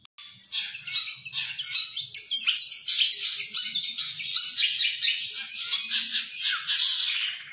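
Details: Indonesian contest long-tailed shrike, a caged bird known for copying other songbirds, pours out a dense, continuous scratchy chatter of high twittering notes. A faint low murmur sits underneath.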